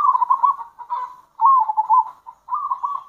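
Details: Local zebra dove giving kerot and bekur calls used to lure other zebra doves: soft, warbling mid-pitched coos in three rolling bursts, each about a second long, separated by brief pauses.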